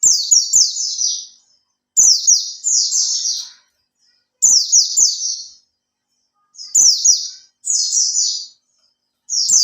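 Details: Oriental white-eye kept in a cage for three months gives a lure song to prompt other birds: repeated high, bright phrases of rapid descending notes, roughly every two seconds, with faint ticking clicks beneath.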